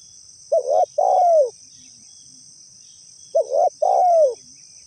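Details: Tekukur, or spotted dove, calling as a trapping lure meant to make other doves answer: a quick two-note coo then a drawn-out descending coo, repeated once after about three seconds, with a constant shrill background buzz.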